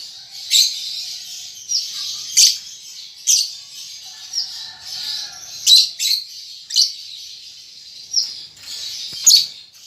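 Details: Young lovebird, a baby still learning to chatter, gives rapid high chirps and short trilled bursts in spaced clusters every second or so, with a continuous high twittering background between bursts.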